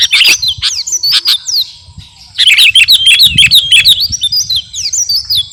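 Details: Sooty-headed bulbul of the garuda kutilang form, singing vigorously as training material for captive birds: a few sharp chirps, a short lull, then a long rapid chatter of bright whistled and flicked notes.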